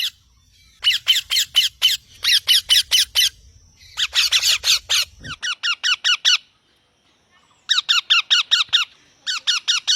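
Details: Green parrot giving long rapid runs of sharp harsh squawks, several notes per second, in repeated bouts separated by short silences; faint low rumble early on.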